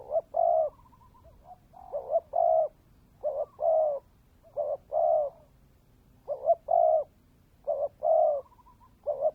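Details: Spotted dove decoy bird singing 'kèm dày': a long, fairly quick series of low two-part coo phrases, short wavering notes then sustained coos, with light trailing notes between.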